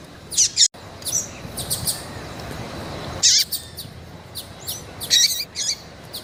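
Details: Female double-collared seedeater in heat, calling and peeping to stir up a male kept for singing contests in Brazil. High, thin chirps come in scattered bursts of two or three, some with hooked, slurred notes, over a steady low hiss.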